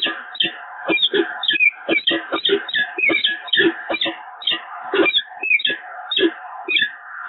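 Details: Peregrine falcon pair renewing their bond at the Evoluon nest, 7 March 2022, calling in a rapid, near-continuous run of rasping, descending notes, several per second, with a constant background hum.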